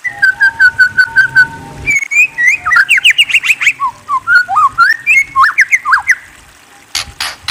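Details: White-rumped shama song: a run of evenly repeated clear whistled notes, then a fast, varied stream of rising and falling whistled phrases and trills, ending with a few sharp broadband clicks.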